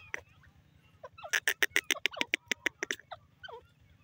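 A francolin gives a rapid burst of about ten harsh, rasping notes, several each second, over a steady low mechanical hum.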